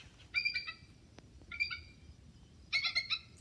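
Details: Captive bald eagle, blind in its left eye and taken in from a wildlife rehab center at under a year old, giving three bursts of thin, squeaky, high chittering notes likened to a squeaky wheel, each four or five squeals, over faint low hum.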